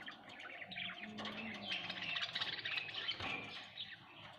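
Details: Budgerigars at home, a soft steady blur of rapid twittering and chirps, with a low tonal hum beneath.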